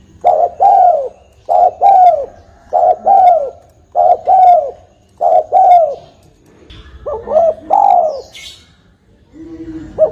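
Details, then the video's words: Spotted dove cooing, a recording used to lure doves for trapping: a steady series of paired soft, hollow coos, a short note then a longer descending one, repeated about every second and a quarter over a low hum. "Suara burung tekukur"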